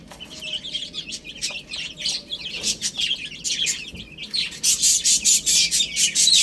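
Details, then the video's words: Little chicks eating spinach chirp rapidly, short sharp high peeps tumbling over each other, becoming louder and more regular in the final two seconds. "Adorable Little Chicks Chirping Sounds"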